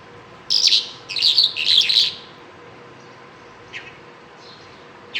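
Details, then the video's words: Bimaculated lark gives three short phrases of jangling, scratchy twitter, followed by quiet with only a couple of faint isolated notes. "bimaculatedlark singing"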